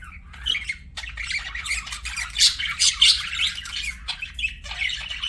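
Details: Pet budgerigar giving continuous rapid chatter, with fast scratchy chirps and grating squawks rising and falling in loudness, over a soft low background hum.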